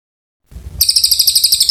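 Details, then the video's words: Oriental white-eye in full song, used to tutor magpie-robins: after a short low rumble, a fast stream of sharp, high pulsed notes runs steadily to the end. "Cililin gacor panjang"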